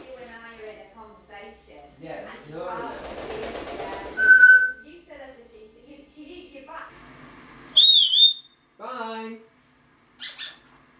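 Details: A pet talking parrot kept indoors, producing a run of speech-like voiced phrases in a small room, broken by a sharp high whistle midway and a bright, wavering whistle near the end.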